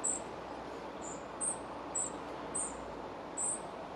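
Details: Spotted flycatcher feeding young near the nest, Moscow Region, Russia; a series of six sharp, very high, brief chirps spaced roughly half a second apart, set against a dull, even background rumble.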